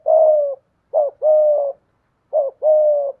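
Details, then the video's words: Decoy spotted dove with 'giọng thổ' voice: a long, mellow, level coo, then two more phrases, each a short rising-falling note followed by a steady drawn-out coo. "Chim Cu Mồi/ cu gay giong tho cuc dinh"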